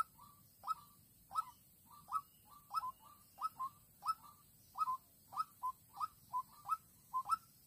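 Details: White-breasted waterhen, a young trapping decoy in Vĩnh Long on 16 March 2022, luring a fight-eager wild female. Repeated short resonant clucking notes come in pairs and singles, steady and insistent, over a soft low rumble.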